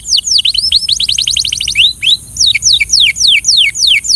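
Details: Belgian canary song for training, loud and clear: falling whistled notes and a fast run of repeated chirps, then a rising slur and a series of evenly spaced sweeping downward notes about three per second.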